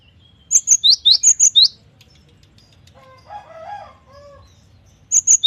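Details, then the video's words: Cinereous tit (gelatik batu) in full varied song: a quick run of sharp, high, alternating chipping notes, then a distant rooster crowing, then the high phrase beginning again. "GELATIK BATU GACOR || the melodious sound of stone sparrows"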